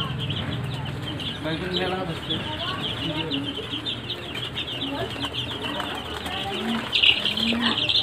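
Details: Sonali (golden) chickens on a farm, a flock calling together: a dense, continuous chorus of high thin cheeps mixed with low clucks, with a steady background hum throughout.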